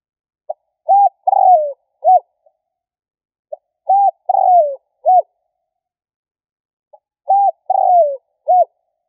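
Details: Repeated spotted dove lure call: three phrases about three and a half seconds apart, each a faint pip, a short coo, a long falling coo and a short closing coo, with nothing else audible.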